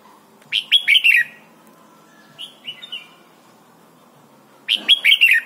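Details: Red-whiskered bulbul in Thailand, song played to train young birds: a bright phrase of four quick warbled notes, a softer three-note phrase, then another bright four-note phrase.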